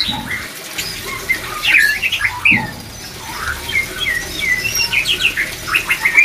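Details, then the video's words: White-rumped shama singing, played to raise breeding drive, with scattered whistled and slurred notes and short squawky phrases, then a run of quick repeated notes near the end, against a constant hiss. "BANYAK MURAI BATU CEPAT PRODUKSI‼️DENGAN TERAPI MENAIKAN BIRAHI MURAI BATU INI"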